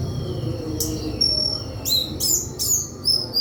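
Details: High pure whistled notes from a White-throated flycatcher, broken by sharp clustered bursts of tumbling twittering phrases about every half second, with low rumble beneath.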